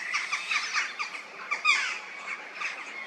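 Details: Quarry-dwelling peregrine falcons with temporarily pink-stained chests call in quick harsh notes, several short rasping screams per second, with a sharper, louder cry near the middle.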